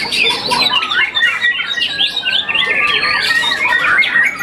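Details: Quick, jumbled phrases of whistles and chirps from a young contest-champion white-rumped shama after its first moult, notes following one another several times per second with a clear rising whistle in the middle.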